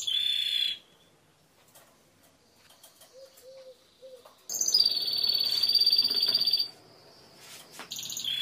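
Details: Timbrado canary singing: a short high trill, a pause with faint clicks and a few soft low notes, then a loud, sustained, fast, even trill lasting about two seconds, over light background noise.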